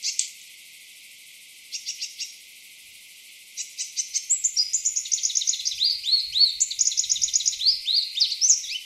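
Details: Eastern double-collared sunbird, from an isolated East African sky-island population, starting with a few short ticking bursts, then a rapid, rising and falling torrent of high, bright, tumbling notes.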